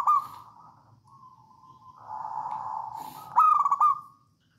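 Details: Javanese wild zebra dove singing in the songgo ratu style as a lure for other doves. Soft level coos swell into a burbling phrase, then end in a bright, stuttering rolled coo.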